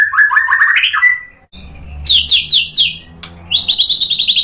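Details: White-rumped shama singing to provoke other shamas: a rising warbled phrase, a pause, then quick high repeated whistled notes in series.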